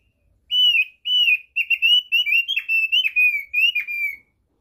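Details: Basic song (kicau dasar) of a Thick-billed white-eye from East Nusa Tenggara, Indonesia: a run of about eight bright, clear whistled notes, each bending downward, delivered in quick succession with short gaps over a quiet background.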